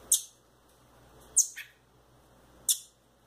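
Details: Thrush (sabiá) chicks, kept by their owner: three loud, thin, high-pitched squeaks spaced over a few seconds, one followed by a softer lower note, over faint steady hum.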